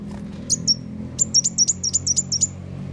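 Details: Sunbird lure call for trapping birds: two high chirps, then a rapid run of about ten sharp, thin downslurred notes, with a faint low hum underneath.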